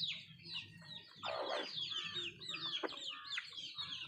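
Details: Country chickens eating: high, descending peeps chatter throughout, broken by a loud, raspy cluck burst after one second and a sharp short note later, with a low mechanical-sounding hum underneath.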